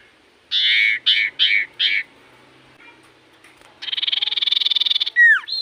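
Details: Common iora in full voice, a song said to get other ioras answering within seconds: four harsh buzzy notes, a pause, then a rapid pulsed trill ending in a loud falling whistle.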